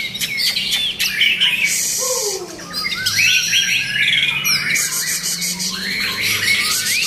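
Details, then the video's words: Rich, varied whistles from a white-rumped shama tumble out in quick, looping phrases, mixed with buzzy notes and a few lower descending slurs, sung continuously throughout. "นกบินหลาดง Shama"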